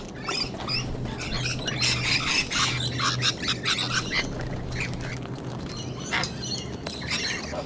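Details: Sydney, Australia: sulphur-crested cockatoos among rainbow lorikeets give clustered raucous screeches, easing to scattered calls, over a steady low hum.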